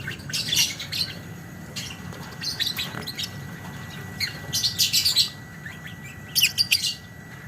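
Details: Lovebird singing 'ngekek panjang' style: short shrill chattering bursts separated by quieter gaps, a louder rapid run near the fifth second, with a faint steady whine and low hum underneath.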